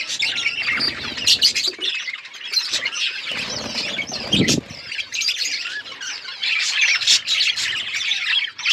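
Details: A flock of budgerigars chirping together, a dense continuous chatter of warbling, scratchy squawks and quick tweets, with several louder harsh notes and brief low thumps of movement.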